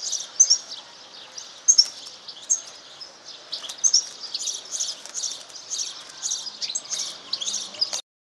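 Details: One-year-old grey European serin hybrid and white canary hybrid, an F1 serin crossed with canary, about 75% canary: a high, thin, chirping twitter of rapid bursts with sharp accented notes, continuing steadily for eight seconds, then stopping abruptly.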